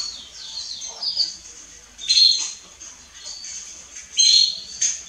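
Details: A female Belgian canary calls with high, thin chirps and quick descending twitters, with louder bursts about every two seconds, over a faint background hum.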